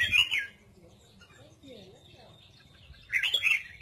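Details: Red-whiskered bulbul singing in the double-voice style: two short, loud bursts of bright, warbled whistles, one at the start and one near the end, separated by a quiet stretch with faint low background sound.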